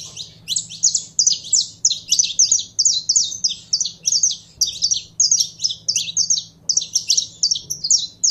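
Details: Canário da terra, the saffron finch, singing hard: an unbroken fast chain of bright, high chirps and slurred notes for eight seconds, steady in pace, with a quiet low hum in the background.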